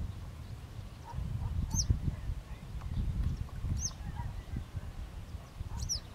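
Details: Western yellow wagtail giving three thin, high, downward-slurred calls spaced about two seconds apart, over heavy low rumbling wind noise.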